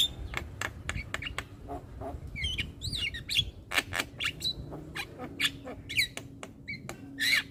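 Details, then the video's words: Young Javan myna chattering nonstop with head nodding: dry clicks and ticks mixed with quick squeaky whistles and bent notes, over a steady low hum. "Ocehan Jalak Kebo Muda Suara Asli Jalak Kebo Manggut Manggut Ngoceh Tanpa Henti"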